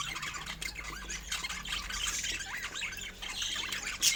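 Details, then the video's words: Budgerigars kept as pets, eating fruit, give rapid rising and falling chirps and scratchy squawks over a continuous chattering background, with a loud sharp note at the close. "Cute Budgies Making Sweet Sounds While Eating Fruits"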